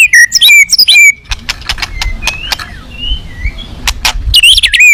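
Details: White-rumped shama at a song contest, a fierce bird in full rich isian style: loud whistled notes and slurred glides near the start and end, sharp clicks between, other faint whistles and low rumble behind.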